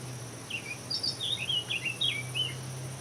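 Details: European bee-eater giving a quick run of short, rolling, slightly burry notes, roughly three each second, some rising then dipping, over a steady low hum and faint insect hiss.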